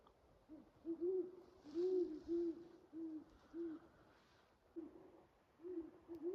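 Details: In late-season snowy woods at 31°F in the morning, a big owl gives a steady run of deep, soft hoots, some doubled, about every half second to a second, over a quiet outdoor hush.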